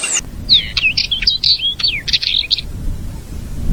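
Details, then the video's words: Purple-throated Euphonia (Fim-fim), Brazil, giving a quick high phrase of twisting, chattering notes lasting about two seconds, clear over faint low rumble. "CANTO HIPNOTIZANTE do FIM FIM"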